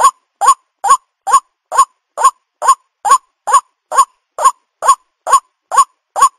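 White-breasted waterhen giving a harsh, croaking note repeated about twice a second, fourteen times in a steady, looping rhythm with silence between notes.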